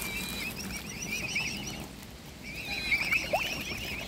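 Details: Hungry mute swan cygnets from a swan family taking food by hand; wavering high whistled peeps at the start, a quiet gap, then another burst of rising and falling peeps near the end.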